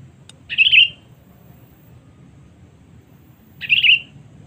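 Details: Two chirpy, bubbling calls from a sooty-headed bulbul, roughly three seconds apart, used as a lure to bring in rivals. A faint tick precedes the first, with low background rumble.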